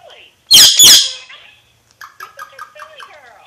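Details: Alexandrine parakeet talking, opening with two loud rasping squawks, then a pause and a run of soft rapid clicks and chattering syllables.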